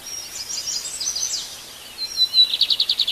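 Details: Early-morning birdsong in nature: a soft, thin jumble of high twitters, followed by a loud, rhythmic trill of rapid repeated notes.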